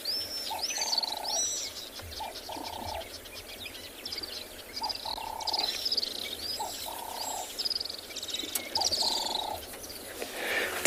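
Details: Little swifts, swooping down to drink on a morning game drive in a South African reserve on 29 January 2021, give high-pitched drilling trills in short bursts every second or two, over lower hollow cooing from another bird.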